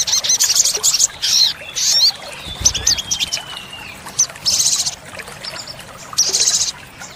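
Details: Olive-backed sunbird song of the sogok ontong training style, packed with tembakan fills: short bright high bursts separated by quieter gaps, with faint thin whistles between phrases.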